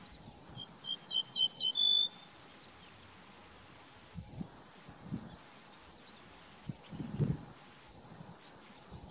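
An ortolan bunting sings one short phrase of about five high, ringing notes, ending in a lower drawn-out note. Faint low thumps and background hiss follow.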